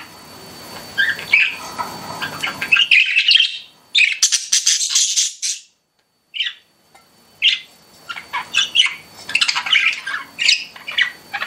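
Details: Pet budgerigars chirping indoors: a dense, scratchy warble and rapid chatter, a short quiet gap near the middle, then bursts of sharp chirps resuming.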